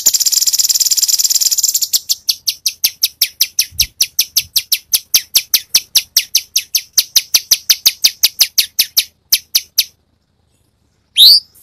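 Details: Cucak cungkok singing gacor with many tembakan variations: a dense buzzy trill gives way to a long steady series of crisp high clicks repeated several times a second, then silence and one loud rising whistle.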